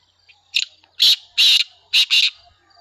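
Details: Black francolin calling: a harsh, grating run of loud scratchy notes. A short note comes first, then two longer rasping bursts, then a brief pause and a closing close-set pair. The background is quiet.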